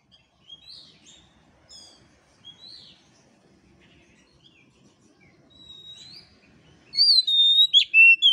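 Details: Oriental magpie-robin used for training other birds: soft scattered whistles for several seconds, then a loud final phrase of clear high whistles and sharp descending notes.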